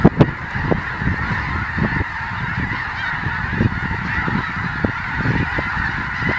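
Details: Flocks of snow geese circle before landing southeast of Colonsay, Saskatchewan, on 12 October 2020, near a mine; steady massed honking from many birds blends into one busy wall of calls, with wind buffeting the microphone.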